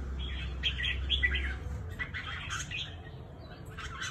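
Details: Cao Bằng red-whiskered bulbul, a trap-fighting bird, delivering quick rhythmic chirps about three per second with mid-high warbling notes; a deep hum fills the first part, then later chirps come in small clusters.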